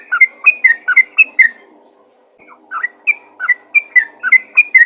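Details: Yellow-vented bulbul summoning others with rapid whistled chirps: a quick burst of about six notes, a silent gap of roughly a second, then another run of clear, slurred, repeated chirps.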